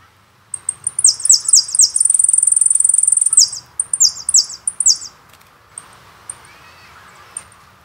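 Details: Jilguero singing from a CD, the Carasucia recording: scattered thin high notes lead into quick descending slurred phrases, a sustained rapid buzzy trill, then more falling phrases and sparse chips.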